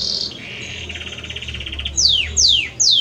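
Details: Singing male Belgian canary courting its female, with a brief high note, a lower pulsing trill, then three loud sweeping whistles falling steeply in pitch, spaced about every half second.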